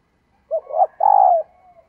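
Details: Female dove calling to stimulate males: a short rising note, a brief wavering coo, then a longer drawn-out coo that slides down at the end, all on a silent background.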